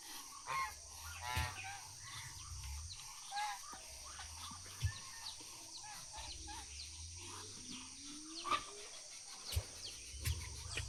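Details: Goose out foraging and now returned home gives short, nasal honks at irregular intervals, some in quick pairs, over a low rumble and a steady high insect-like hiss.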